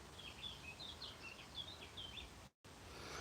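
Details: A distant Eurasian blackcap sings in the background on a hot sunny day by a pond with yellow flag iris and wild roses. It gives a quick, varied warble of clear, fluty notes for about two seconds over a steady rumble and hiss.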